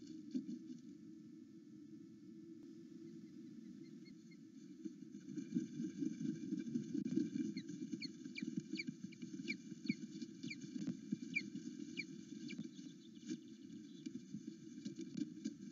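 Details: Wild osprey at a Loch Arkaig nest, filmed by live camera in the morning hour, excited as its mate returns; after rustling, a string of thin, falling whistled chips repeats about twice a second over steady background hum.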